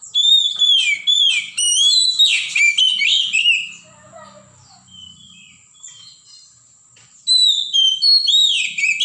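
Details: Wild forest Oriental magpie-robin delivering loud, rapid whistled phrases with rising and falling slurs and buzzy twitters. A quieter stretch with soft distant notes follows before another strong burst of song resumes.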